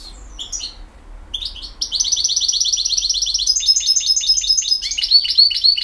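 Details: Campero-style song of a European goldfinch from BiH: a few sharp chirps, then a long, rapid, rattling trill of repeated liquid notes that shifts to a higher, ringing trill.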